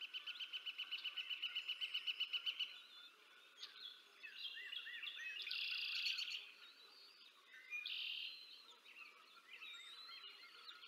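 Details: At the Decorah North nest, 20 April 2024, an adult female bald eagle feeds her two eaglets; a rapid run of about twenty high, even pulses opens, followed by buzzy squeals and thin peeping, with other birds chirping behind.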